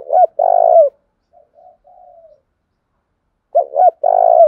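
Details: Spotted dove used as a lure to push a wild-caught dove into calling; a long rolling coo, quiet low murmurs, then another phrase of two quick hoots and a vibrating drawn-out coo.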